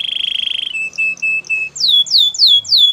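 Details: Canary song in a training recording: a rapid buzzy trill, a few evenly spaced clear whistled notes, then loud repeated down-sweeping notes at about three per second.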